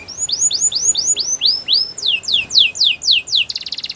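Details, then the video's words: Canary song with a rapid series of arched, downslurred whistled phrases repeated about every quarter second, shifting to a higher sweeping series, then ending in a dense buzzy rattle. "Canary bird sounds | Your canary will sing a lot"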